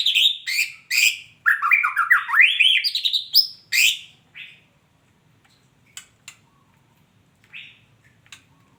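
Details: Female white-rumped shama: about four seconds of loud, varied whistled phrases with fast rising and falling slurs, then near silence broken by a few faint clicks and one soft note.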